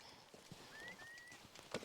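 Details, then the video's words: On Aukra (Gossa) island, Norway, on a mid-April Saturday afternoon, a distant curlew gives a thin, rising whistle in two drawn-out pulls. Footsteps crunch on shore stones and shingle as the tide rises, with geese nearby. "Słychać gdzieś też kulika."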